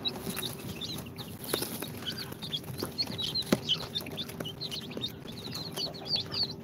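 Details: A brood of two-day-old chicks from an incubator, Sultan, Golden Sebright, Cochin and booted breeds, keeps up scattered high thin peeps over rustling, with occasional sharp clicks and taps and a faint steady hum.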